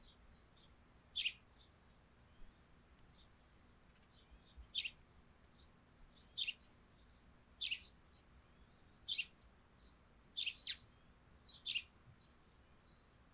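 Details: Morning on a dewy thatched roof, where sparrows give about nine crisp chirps spread across the stretch, sometimes doubled, at uneven gaps in otherwise calm air.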